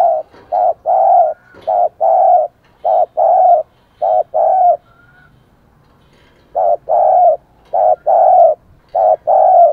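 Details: Spotted dove used as a decoy, cooing briskly to lure wild doves: rapid runs of short, low, even coo notes in two bursts split by a brief silent pause, loud and clear with no other sounds.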